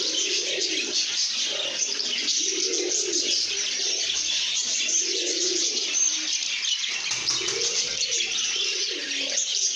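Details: Lovebirds in a happy, good mood, singing and chirping: a dense, continuous wash of shrill high chirps and twitters, with soft low cooing phrases recurring underneath in an indoor setting.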